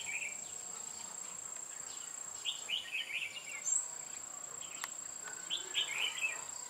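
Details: Red-whiskered bulbul singing during a trapping session on 8 October 2017; short warbled, chattering phrases around two and a half seconds and again near six seconds, over a steady high insect drone.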